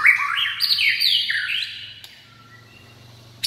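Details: White-rumped shama delivering a bright, fast cascade of high whistled notes that step upward and downward for about a second and a half, then fade to quiet background with a sharp click at the end.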